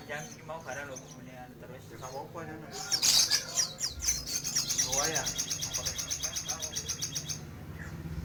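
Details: Actively singing crimson sunbird delivers a loud burst of rapid, buzzy high notes, about four a second, fading gradually, preceded by softer warbled chirps; low background hum.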